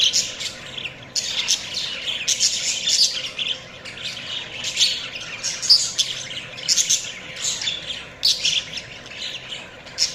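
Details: Budgies chatter steadily, with squawky, buzzing high chirps in dense bursts about once a second and brief lulls between them.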